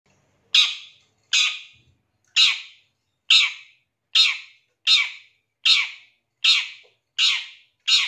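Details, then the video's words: Long-tailed shrike calls played as a lure to get a shrike singing quickly and excited: loud, harsh, rasping squawks, ten in a row, roughly one every 0.8 seconds, with clean silence between and no other sounds. "Pancingan Suara Pentet Bahan Agar Cepat Bunyi & Emosi"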